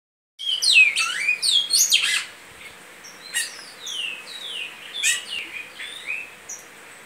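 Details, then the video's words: Great-billed seed finch singing in the Goiano liso song style: loud sweeping whistled notes sliding down and up, densest in the first two seconds, then softer spaced phrases of descending slurred whistles. "Bicudo canto Goiano liso"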